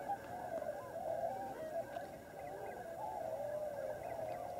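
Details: A wintering flock of tundra swans (Cygnus columbianus) at Lower Klamath National Wildlife Refuge on the Oregon/California border keeps up almost five seconds of overlapping mellow, high-pitched hoots and yelping calls.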